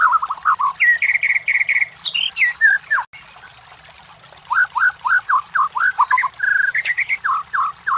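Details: White-rumped shama master song for provoking competition birds: repeated downslurred whistles, a steady held note series, and a falling cascade. After a short pause, a fresh run of quick rhythmic whistled notes follows.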